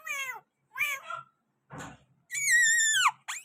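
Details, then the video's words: Pakistani green parrot at a window giving drawn-out, nasal, meow-like falling calls, one long rich screech ending in a sharp drop, plus a brief scratchy rustle. "Pakistani Green parrot at the window with beautiful voice"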